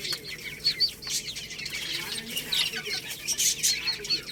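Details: Lohmann Brown chicks feeding on rice make a constant chorus of shrill, rapid cheeps that overlap one another, with faint rustling throughout.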